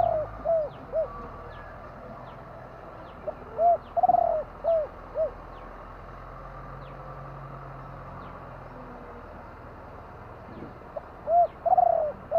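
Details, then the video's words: Repeated spotted dove phrases of soft hooting coos, each with one rolling, tremulous note. The phrases are spaced several seconds apart against steady faint ticking and a low background drone. "นกเขาใหญ่ !!! 2 กุ๊กคูอ่างจัดเชลยคารม"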